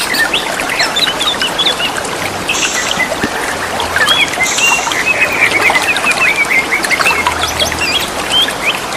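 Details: Wild greater green leafbirds calling back and forth, giving quick whistled phrases and chattering notes, set against constant gurgling running water.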